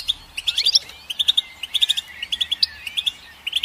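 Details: Goldfinch song: steady twittering of bright, clipped notes in small clusters, with a thin drawn-out whistle running beneath. Background is clean.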